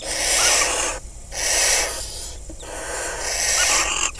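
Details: Barn owls in a nest box in the crop fields of Kibbutz Snir, northern Israel, on 26 May 2020, as the male delivers a second rodent and mates with the female; loud breathy hisses repeated in long rasping bursts.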